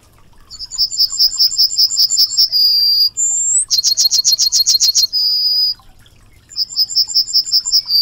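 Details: Yellowhammer (Emberiza citrinella) song, repeated: long runs of high, rattling chips end in a drawn-out level note, with a rising whistle between phrases and soft low background noise throughout.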